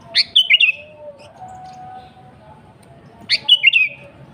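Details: Vigorous gacor song of a kutilang, the sooty-headed bulbul, offered as a lure for wild birds: two identical brief gurgling phrases about three seconds apart, each a sharp rising note then tumbling whistles, with faint background hum between.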